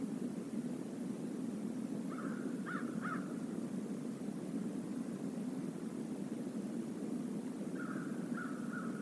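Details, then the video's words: Crows from a visiting flock call near a stream by the Decorah North eagle nest on November 28, 2021. There is a short burst of three harsh caws, then quiet, then a few more drawn caws near the end, under a constant rush of stream noise. "A murder of crows visits the stream area"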